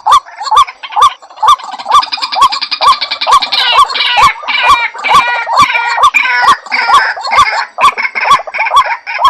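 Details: White-breasted waterhen calling: loud hooked notes rising at the end, repeated a little over twice a second, with sharp clicks between them. From about two seconds in, a dense buzzy, chattering layer runs over the rhythm.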